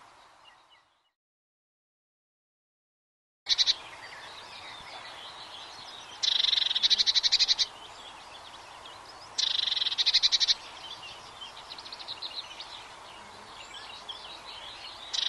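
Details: Eurasian blue tit song: after a silent opening, two bright high trilled bursts of rapid repeated notes, each about a second long, over a steady hiss of background noise with scattered fainter chirps.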